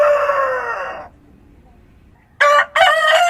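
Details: Rooster at dawn in the countryside: the falling tail of one crow fades out, a second of quiet farm ambience follows, then a new crow begins with a short note and a long loud one.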